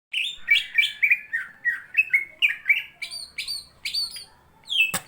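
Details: Greater green leafbird singing vigorously while fighting a companion bird: a fast run of varied whistled and slurred notes, some rising and some falling, delivered about four per second, ending in a sharp high burst.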